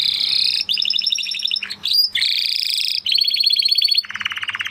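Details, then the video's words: Spanish Timbrado canary singing continuous rolling trills, bright and metallic, in several sections that shift in speed and pitch, the last dropping lower and more liquid; hardly any pauses between phrases. "Canary Sound Effect - Canary Singing Video"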